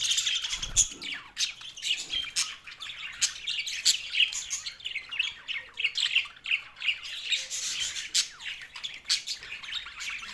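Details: A flock of green budgies, happy at mealtime, keeps up a constant chatter of squeaky, buzzy chirps and short squawks, all overlapping without a break.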